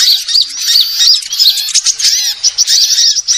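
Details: Sunbird lure calls used by bird trappers to attract birds: dense, continuous high chirping with many rapid rising and falling whistled notes, overlapping trills, no pauses, sounding like a busy flock.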